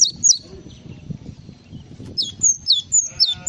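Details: Java sparrow on a songbird training recording: sharp high chirps sliding downward, two at the start and a run of four later, with low rumbling background noise between.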